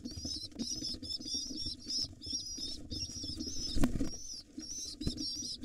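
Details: Excited pigeon nestlings, wild, squeal for food from their father in drawn-out, wobbling high whines with brief breaks, over a dense low rustle and one sharp knock.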